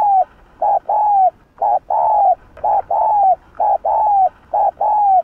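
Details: Rapid pressing coos from a spotted dove with the Hạp Bổi voice, used to provoke other doves: about a dozen short and long mellow notes in close alternation, the longer ones falling in pitch.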